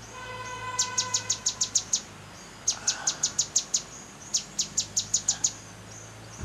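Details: Grey-headed canary-flycatcher (Culicicapa ceylonensis) in a hotel garden in Manali, Himachal Pradesh, calling in three quick bursts of about eight very high, sharp ticking notes, each about a second long, over a faint low hum.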